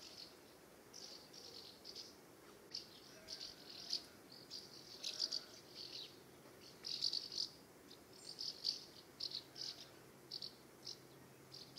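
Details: House martins circling their nest site during the UK summer give a long run of scratchy, high twittering chirps in clustered bursts, pausing briefly between groups, with steady faint background noise.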